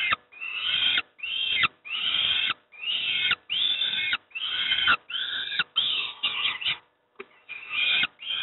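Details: Peregrine falcon young at Moszna, Pruszków, being fed breakfast, giving harsh, rasping begging cries in rapid bursts of about half a second, separated by brief gaps, continuing throughout.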